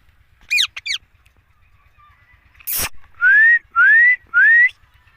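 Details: Green rose-ringed parakeet, one of a group of talking parrots, gives two harsh stacked calls, a sharp click, then three loud rising whistles in quick succession, with a man talking nearby.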